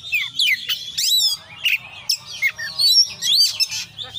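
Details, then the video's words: Vigorous konslet song of an Oriental magpie-robin packed with fill-in phrases: high swooping whistles, harsh squeaky notes and quick chattering bursts in tight succession, faint low hum behind. "kacer gacor KONSLET full isian"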